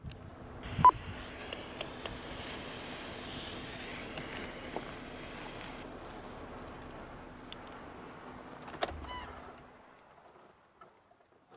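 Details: Vehicle noise with a steady mechanical hum, a brief electronic beep and a couple of knocks, no animal calls.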